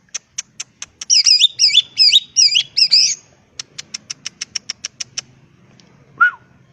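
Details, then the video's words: A wild greater green leafbird sings a full challenge song to goad rivals into answering. Sharp ticking notes frame five looping, warbled phrases. A long series of evenly spaced dry ticks follows, ending with one downward whistle. "pancingan suara cucak ijo full isian bikin nyaut suara burung cucak ijo alam liar"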